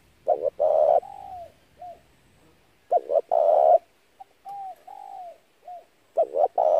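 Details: Lure call of a spotted dove for trapping wild doves: repeated cooing phrases of quick short hoots ending in a longer drawn coo, separated by quieter arched notes, roughly one phrase every three seconds, no other sounds.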